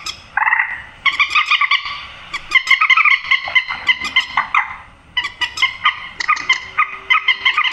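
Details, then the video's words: A grey-headed swamphen gives harsh, nasal, screeching calls in rapid ragged bursts with a brief pause midway, used as a lure for night bird netting. "tiếng trích ré"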